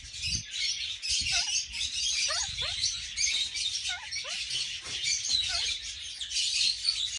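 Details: A bonded pair of captive red-crowned (red-fronted) parakeets, Kakariki, filmed during mating, chatter without pause in a dense, high, scratchy stream with a few short lower whistled notes slurring downward.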